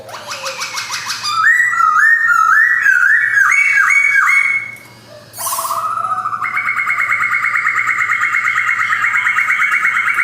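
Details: Captive male white-cheeked black-throated laughingthrush, kept in Yogyakarta in 2021, sings a loud, continuous run of clear whistled notes. Short slurred and rising phrases give way to a long, sustained, rich whistle after a brief pause.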